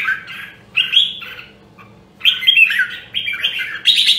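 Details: Nam Dong, Hue red-whiskered bulbul in song training gives two quick warbled phrases, falls silent briefly, then launches a denser run of bright fluttering whistles, with a faint low hum.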